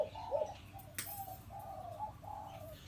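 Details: Hybrid zebra dove decoy, four years old, penyat style, calling more quietly: a few drawn-out soft coos with a brief stutter, a sharp click partway, low hum beneath.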